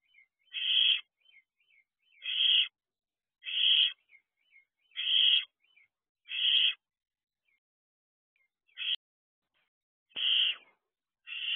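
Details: Three barn owl owlets outside their nest box in the wild at 3 a.m., 2 June 2023: eight harsh, hissing screeches roughly every one to two seconds, with faint short chirps between them.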